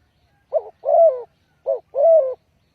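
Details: Spotted dove calling as a trapping lure, giving two clean phrases of a brief quavering coo followed by a drawn-out, slightly falling croo, with a short silent pause between phrases.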